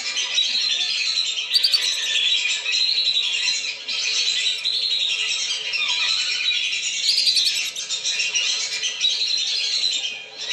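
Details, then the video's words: Lesser whistling ducks calling in a lure recording meant to bring them down: a continuous wash of high whistles and chattering squeaks from many birds, rising in brief louder bursts every few seconds. "SUARA PIKAT BURUNG BLIBIS"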